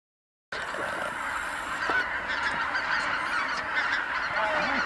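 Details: Tens of thousands of wild geese return to Kabukuri-numa marsh at dusk after feeding, all calling together; after a half-second of silence a dense, continuous chorus of overlapping nasal honks sets in and holds steady.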